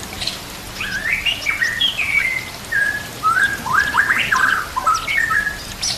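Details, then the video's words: Song of a white-rumped shama, recorded with nature sounds and gently trickling water for training birds: mellow slurred whistles rising and falling, short flat notes and quick upward flicks in a rambling, unhurried phrase. "murai batu gacor full isian"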